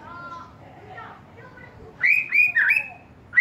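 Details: Young wild-caught white-rumped shama (murai batu) in spotted juvenile plumage. Soft, faint whistles and murmurs give way after two seconds to loud, bright whistled phrases with quick upward slurs.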